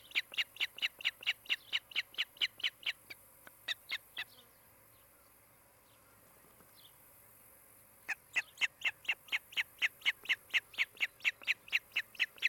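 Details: Nesting osprey pair on a nest cam in Charlo, Montana, 16 July 2018, afternoon. Two bursts of rapid, sharp, high chirps, about two per second, separated by a quiet gap of roughly four seconds.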